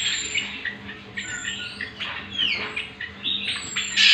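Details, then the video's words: Cucak kombo, the greater green leafbird, as master song for teaching birds: softer, scattered squawky notes and sliding whistles with intermittent high thin tones, over a steady low hum. "Pancingan dan Masteran Cucak Kombo"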